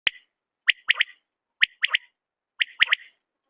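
A common quail gives its liquid three-note 'wet-my-lips' call, sharp clipped notes repeated about once a second, with nothing else heard.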